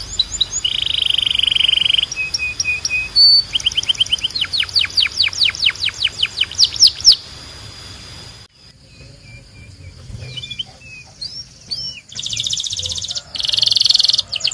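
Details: Belgian canary in full song: a long buzzy roll, then whistles and a cascade of steep descending chirps. After a brief drop in volume come scattered soft notes and two loud rattling bursts.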